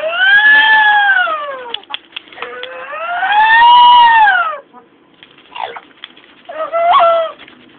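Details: Female pet Amazon parrot imitating sirens, brakes, dogs and monsters; two long, loud, siren-like wails that slide up and down in arcs, followed by short squeaky fragments and a brief rising squawk.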